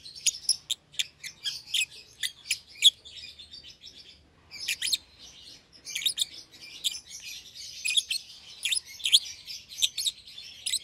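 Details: Caged young lovebird pair, euwing green opaline with red-eyed albino, seen close together and feeding each other; dense, continuous high chirping with rapid sharp clicks and buzzy chatter, a brief pause near the middle.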